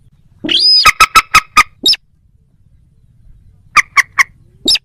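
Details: Moorhen calling: a rising squeal, then a fast run of five sharp, clipped clucks, a brief squawk, a pause, and a second burst of three clucks ending in another squeal.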